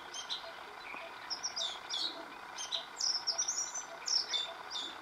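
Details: Oriental magpie-robin singing, recorded over several days with a new tune each day; a varied run of short, high whistled and chirping notes in quick bursts, some sliding up or down, over a steady low background hiss.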